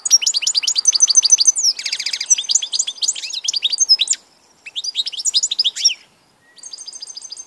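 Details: Goldfinch song recorded 16 March 2014: quick, regular chirps about three per second, then a rattling buzzy trill and rapid liquid twitters, with two short silences before a final run of repeated notes.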